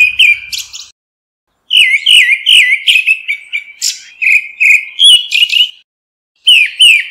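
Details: Grey-backed thrush calling to gather the flock, giving a brisk series of repeated, falling whistled notes with buzzy overtones. Phrases are separated by pauses of about a second. No other sounds.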